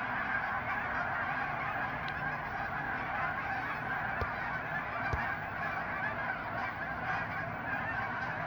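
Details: A flock of hundreds of geese in full clamour, countless honking voices merging into a continuous loud wall of sound with a couple of sharp knocks.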